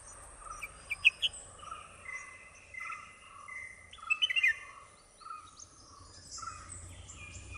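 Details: Red-whiskered bulbul (Pycnonotus jocosus) parents feeding two nestlings at their nest: short, bright chirping notes in two brief bursts, over a steady background hum of insects.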